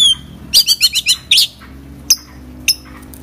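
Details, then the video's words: Oriental magpie-robin in full, lively song packed with mimicked phrases: a quick burst of sharp, high chirps and rising whistles, then a long pause broken by a few isolated bright notes over a faint low hum. "kacer gacor full isian"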